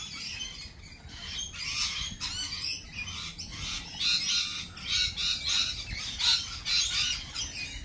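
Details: Lorikeets at a cafe keep up a noisy, chattering chorus of short rasping screeches that grows busier and louder in the second half, repeated in quick pulses about every half second.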